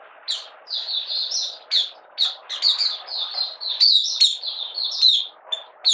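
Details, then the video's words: Caged Malaysian Oriental white-eye in minor moult, not in top form, giving open 'buka sing' song on 31 July 2023: high, thin twittering phrases strung together almost without pause, with a soft hiss behind. "Malaysian Mata Puteh Buka Sing"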